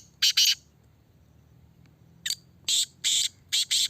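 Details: Black francolin in a cage being checked, giving a doubled harsh note, a pause, then a quick series of rasping grouped notes.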